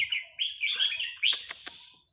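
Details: Red-whiskered bulbul of Burmese stock singing a counted-phrase song; a brief bright warbled phrase followed by three sharp clicks.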